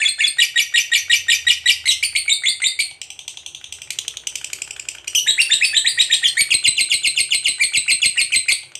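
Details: Lovebird ngekek long trill for training other lovebirds: fast buzzy chattering pulses, a brief softer dip near the middle, then the trill resumes louder and denser.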